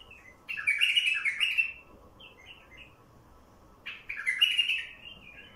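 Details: Wild bulbul singing, recorded for luring other wild bulbuls: two loud, rich warbled phrases about three seconds apart, with softer short chirped notes trailing between them.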